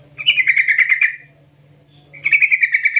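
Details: Yellow-vented bulbul giving two long rolling bursts of quick, bright notes, about a second each, separated by a short pause, over a faint low hum; a call used to lure or stimulate bulbuls into singing.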